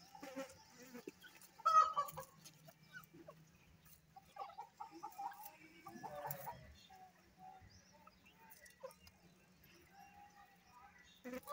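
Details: Female grey francolin at her nest while laying an egg: soft, scattered clucks and short low notes, some in brief clusters, with quiet gaps between them.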